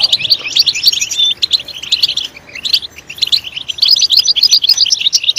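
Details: Loud European goldfinch song meant to stimulate goldfinches to chirp, with rapid twittered phrases of high, bright notes, a brief lull around two and a half seconds, then a denser chattering run.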